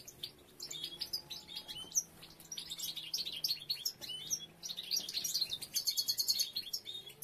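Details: Goldfinches with females starting nest building and several nests being made; dense, bright twittering that builds into rapid, repeated tinkling trills toward the end.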